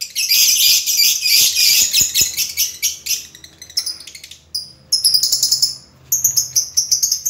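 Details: Lovebird song, its chirping voice described as very distinctive: dense, rapid high-pitched chatter and buzzy trills for about four seconds, then shorter bursts of twittering notes separated by brief pauses, with a faint low hum underneath.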